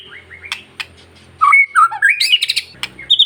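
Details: White-rumped shama of the long-tailed type, sung to excite other shamas: a soft fluty opening, sharp clicks, then a burst of quick, loud, varied whistles and chirps climbing in pitch, with faint low hum behind.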